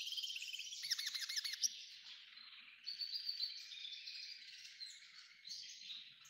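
A hybrid goldfinch sings a rapid, high twittering song of trills and chirps, with a short burst of looping, rolling notes early on.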